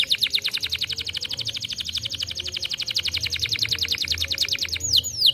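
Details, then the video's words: A canary sings a long, fast, rolling trill of bright, high notes, about ten per second, ending in a few sharp down-slurred whistles. "canários cantando"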